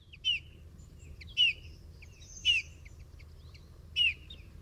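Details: A Eurasian bullfinch, a bird seen mainly in winter in towns and forests, gives four soft, piping, down-slurred whistles, one every one to one and a half seconds, with faint chirps and a low hum behind.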